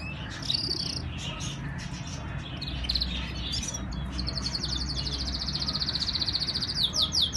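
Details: Canary from Islamabad, Pakistan: scattered short notes at first, then a long, even, rapid trill in the second half, with steady low rumbling noise.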